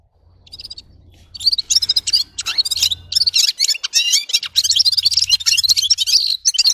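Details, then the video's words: After a short high note, a red-fronted serin breaks into rapid twittering song of squeaky chirps and trills, over a faint low hum. "Gulsir Singing (Seriniis pusillus) Пение Птицы (Yurok Qushi Red-capped signing) G'ir-G'ir"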